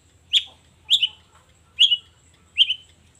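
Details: Long-tailed shrike in the morning giving four short, sharp, slightly buzzy notes, spaced under a second apart.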